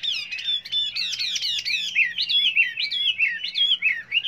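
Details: Chinese hwamei singing many varied voices: a steady stream of loud, rich, slurred whistles, rising and falling in quick looping phrases about twice a second.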